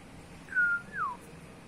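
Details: Pet talking cockatiel kept indoors as a family bird: one clear whistle, held level, then sliding downward in a short fall, heard in a quiet room.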